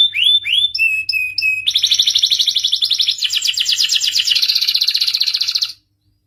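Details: Canary in excited song to encourage males to mate and sing: a few swept chirps and flat whistles, then a long rapid rolling trill shifting in pitch before the song stops abruptly.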